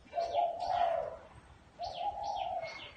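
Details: Spotted dove cooing in a small garden: two long, low, mellow cooing phrases, the first around a second long, separated by a pause, with thin high chirps and whistles from other birds above.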